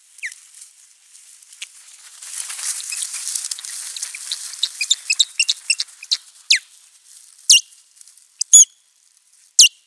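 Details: Ospreys at a nest camera during a territorial fight on April 19, 2023; faint hissing chatter at first, then sharp, high descending calls that grow louder and more spaced toward the end.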